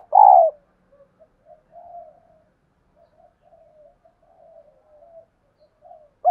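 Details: A female spotted dove used as a decoy to lure wild birds. One loud opening note is followed by a string of soft, low, breathy cooing phrases with short gaps between them, in an otherwise quiet setting.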